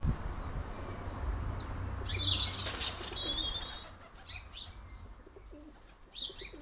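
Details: A common blackbird at a UK garden bird bath gives a brief, shrill screech as it takes off, frightening other birds, with a burst of wingbeats, then a few sharp high chips over a steady low rumble.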